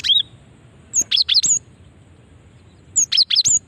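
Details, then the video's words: Female cinereous tit calling to draw in other birds: loud, clear bursts of four high chirps sweeping up and down, repeated after a short pause, with little background sound. "Ampuh memancing bunyi gelatik batu betina ini"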